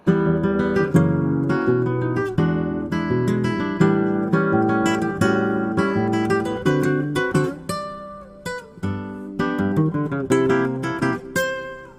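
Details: Strummed and plucked acoustic guitar plays throughout, with no animal voices.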